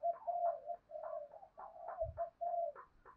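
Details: Spotted doves answering a lure call: many overlapping, moderately soft hollow coos run together almost without pause, mixed with brief higher notes, plus a short low thump.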